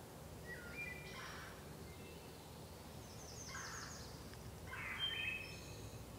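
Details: Distant wood thrush song from a sacred grove: soft fluty whistled notes, then a high stuttering trill, and another whistled phrase near the end against constant low rumble.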